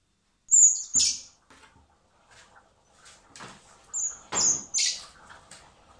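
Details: Common blackbird nestlings hand-fed in spring at a recovery centre before release; high squeaky begging cries in quick bursts mixed with clicks, taps and feeding noises.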